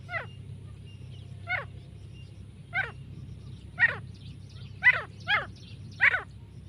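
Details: Female grey francolin calling: a series of short, sharp notes sweeping downward, spaced irregularly over several seconds and growing louder and more closely spaced toward the end, over a low steady hum.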